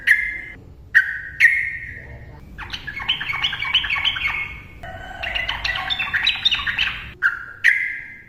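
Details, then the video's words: Yellow-vented bulbul giving fast 'ropel' song meant to lure quiet birds into singing: sharp descending whistled chirps frame two long bubbling, rolling phrases. "TRUCUKAN GACOR NARUNG ROPEL cocok untuk pancingan burung TRUCUKAN DIAM"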